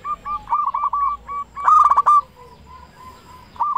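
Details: Zebra dove, a local bird with a big voice, singing to stimulate other doves: short clipped coo notes build into one loud rolling burst midway, then softer spaced coos follow.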